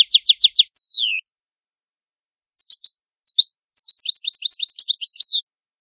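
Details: Goldfinch from Italy giving rapid repeated chips, then a downward slurred whistle, a silent gap, and a building run of sharp twittering and tinkling notes; clean recording without background noise.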